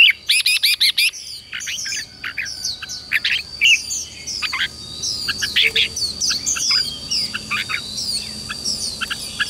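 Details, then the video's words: Red-whiskered bulbul song used to train newly caught birds: a rapid series of loud, sharp repeated notes opens, followed by dense overlapping chirps and short whistled slurs over a steady high-pitched hum. "luyện cho chào mào bổi hót"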